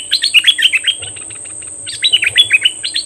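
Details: A bulbul used as a decoy calls to wild birds in rapid bursts of sharp slurred notes. Two phrases are split by a short pause, with a steady high-pitched hum in the background.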